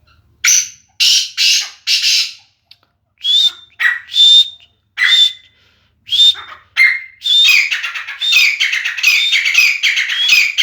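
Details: Caged grey francolin, Sindhi teetar, calling in bursts: harsh broadband notes mixed with short whistled tones, first spaced by silences, then merging into a rapid continuous series toward the end.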